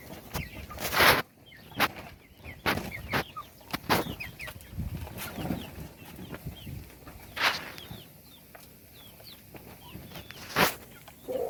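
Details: Feeding chicks give soft, high, short chirps throughout, fainter than several loud sharp knocks and taps that punctuate the recording every few seconds.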